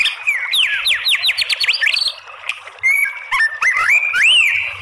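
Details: Female white-rumped shama voice meant to draw other shamas into song: a rapid string of about ten sharp rising whistles, a pause, then level and arching whistled notes with clicks.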